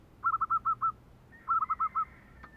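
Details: Zebra dove singing in the kerok style: two rolling phrases of five quick, trilled, mid-pitched coo notes, followed by a thin, higher, steady tone and a soft click at the end.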